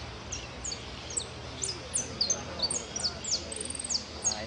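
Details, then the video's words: Jilguero singing at a competition for the Irupé Federation cup on 22 02 15, entered in the 'blanco sin cierre' class: high, thin, sharply downslurred notes given in a quick uneven series, about three a second, over low background rumble. "Participo en blanco sin cierre copa Federacion Irupe"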